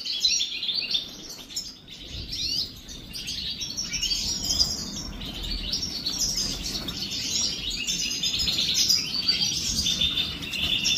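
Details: European goldfinches taking a morning bath keep up a continuous jumble of high, tinkling twitters and chirps over a soft, steady background hiss, likely from water.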